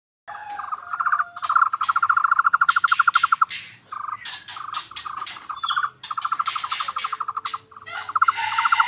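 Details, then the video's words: Tohtor bird with an unusual frog-like voice: fast, even trains of throaty pulses at mid pitch, each run lasting one to two seconds with short gaps, mixed with sharp clicking bursts. "burung tohtor suara mirip kodok"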